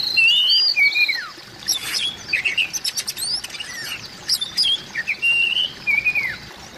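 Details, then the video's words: Oriental magpie-robin call for stirring silent magpie-robins: loud opening whistles that glide downward, then a run of sharp buzzy chips and short twitters, ending with more rich whistled phrases that sweep down. "suara panggilan burung kacer"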